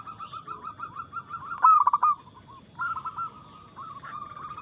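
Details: Energetic local zebra dove song, fast and loud with a clear ring, meant to lure other doves into singing: quick bubbling coos lead into one loud trilled burst, then a rolling, gently falling series of coos.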